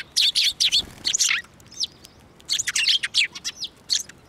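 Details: Sparrows coming to a hand for food at Tenmangu shrine, 15 March 2024: loud clustered chirps and short twittering notes in two busy bursts, with a brief quieter gap between them.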